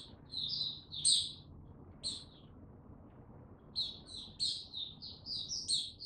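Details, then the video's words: Caged Mata Puteh, or white-eye, gaining confidence before opening into full song, recorded 6 March 2022: high, thin chirpy phrases of quick twittering notes in short bursts with pauses between, over faint low background hum. "Mata Puteh Before he open buka Tsunami Video 1 gaining confidence to buka slow n steady"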